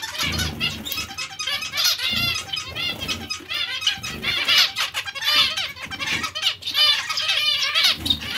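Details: Zebra finches chattering almost nonstop, layered buzzy, nasal notes and twittering phrases overlapping for the whole stretch, with occasional low bumps underneath.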